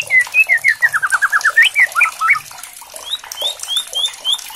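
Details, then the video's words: Captive white-rumped shama, murai batu, singing when provoked by a challenge recording: a fast run of clear whistled notes stepping downward, then twisting slurred phrases and spaced higher whistles, over a hissing, clattering background. "MURAI BATU GACOR, EMOSI BONGKAR ISIAN - KRETEKAN MURAI KERAS"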